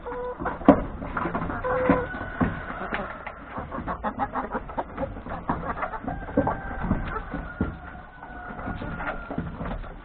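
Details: Chickens, hens and three roosters, feeding in a yard at breakfast before heading to the forest to graze; a dense, busy murmur of overlapping clucks and short cackles, with a faint drawn-out tone running through.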